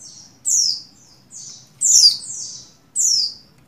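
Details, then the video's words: In breeding condition, a female buxtoni Oriental white-eye calls to a male with soft high chips alternating with louder, piercing, downward-slurring whistles, about one every second. "Call Burung Pleci Betina Birahi Memanggil Jantan"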